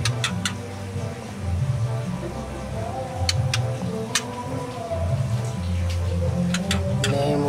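Low droning music with scattered sharp clicks and faint voices, with no animal calls standing out.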